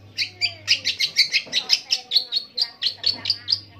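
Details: Long-tailed shrike singing a long rolling song that imitates various birds: a steady series of sharp, bright chirped notes repeated about four times a second, with a faint low hum underneath.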